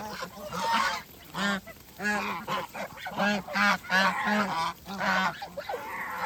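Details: Several domestic geese on a farm call while eating: short, regular honks with strong harmonics, roughly one every half second, loud and close, with softer birds behind.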